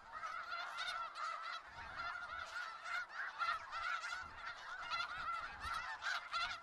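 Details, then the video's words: A large flock of snow geese in Skagit Valley calling together: a dense, continuous din of nasal, yelping honks overlapping without pause. "Sounds of Snow Geese"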